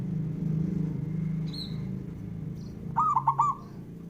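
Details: Male zebra dove song aimed at provoking rival males: one rolling four-note coo phrase near the end, after a brief high chirp from another bird, all over a loud low rumble.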